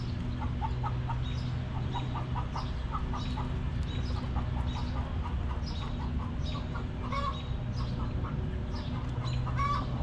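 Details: Backyard hens in their coop cluck steadily, short low notes repeated several times a second in running series, with high small-bird chirps throughout and a continuous low background hum.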